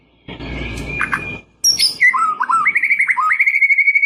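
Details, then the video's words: White-rumped shama singing to provoke a rival; a noisy rustling start, then sharp high whistles followed by a series of stepped whistled notes and a rapid repeated trill. "KICAUAN SUARA MURAI INI MEMANGGIL LAWAN"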